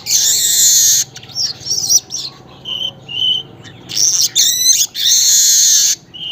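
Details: Weaver singing in the early morning, around 5:40 Western Indonesian Time: loud sizzling, buzzy bursts lasting about a second, alternating with short chattering notes and a rapid rattling series, with quiet pauses between.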